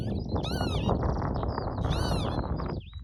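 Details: Mating pair of northern lapwings, Barden Moor near Skipton, June 2026: two buzzy, arching calls about 1.5 seconds apart, with high thin notes between and loud wind rumble throughout.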